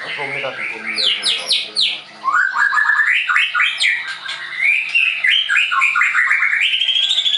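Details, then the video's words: Varied, rich song from a caged Leuser-type White-rumped shama at a Tangerang bird school in Indonesia: sharp chattering bursts, a brief pause, then a long run of fast rising and falling whistled phrases climbing gradually in pitch. "MURAI BATU LEUSER"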